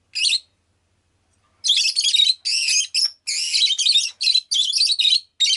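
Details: Pet rosy-faced lovebird: one sharp chirp, a short pause, then an excited, almost continuous run of scratchy, buzzy chirps in rapid succession.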